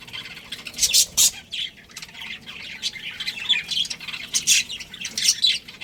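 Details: Breeding pair of budgerigars chattering: dense, scratchy warbles and buzzy chirps, with a few louder, harsher squawk bursts near the start and end.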